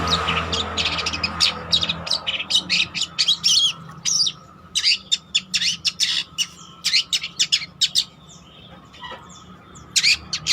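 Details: Cendet trotol, a long-tailed shrike in full song, recorded as a lure or master song for training: bursts of harsh, clicking high notes in quick clusters, separated by brief pauses, over a low constant hum.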